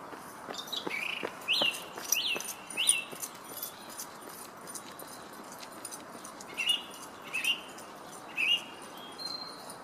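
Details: Wild song thrush in Herttoniemi, Finland, delivering varied high whistled and sharp notes, some in short repeated pairs. Background noise is steady.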